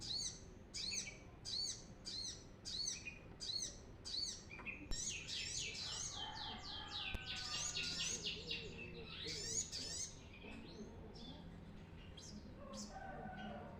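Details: Brown-throated sunbird song, used as a lure for training birds: high thin chirps repeated about every half second, then a rush of rapid jumbled twittering over a steady low background hum.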